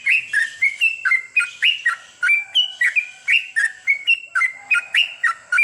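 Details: Sooty-headed bulbul singing at night, used as therapy to encourage long goklik singing: fast series of short, bubbly whistled notes that jump up and down in pitch, about three per second, over a steady thin high whine.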